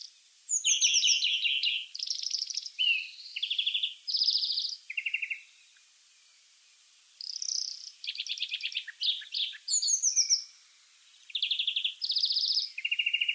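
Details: Wild European greenfinch in full song, varied sequence of fast trills, rattles and twittering notes at different pitches, delivered in two long bursts separated by a short pause.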